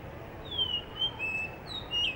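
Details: Blue whistling thrush singing in Hunza, a bird said to sing actively in the morning before sunrise; long, clear, high whistles, drawn out and slightly falling, four notes in two seconds over faint low hum.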